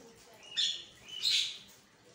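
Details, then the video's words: Javan myna in the morning, its harsh song used to provoke caged mynas into answering; two short broad raspy bursts half a second apart, quiet background. "pancingan burung jalak kebo 100% nyaut"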